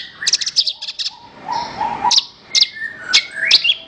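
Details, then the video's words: Varied song of a Horsfield's bush lark (branjangan), used as a master recording for training songbirds: quick high trills and chirps mixed with lower, longer whistled notes and upward-sweeping phrases. "Ocehan Suara Burung Branjangan"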